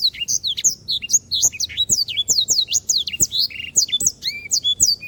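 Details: Canary singing energetically for a bird-training recording: continuous rapid twittering of looping, up-and-down whistled notes with a few buzzy trills, steady and unbroken throughout.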